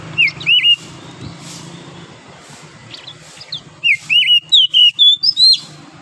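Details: Wild oriental magpie-robin in forest, morning: scattered soft whistles over a low hum, then a loud fast burst of about eight clear notes with upward and downward slurs, rising higher toward the end.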